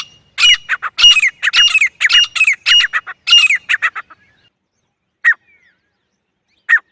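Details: Loud excited series from a female grey francolin: fast runs of harsh notes mixed with rising and falling whistled strokes for about four seconds, then two isolated short harsh calls after a pause.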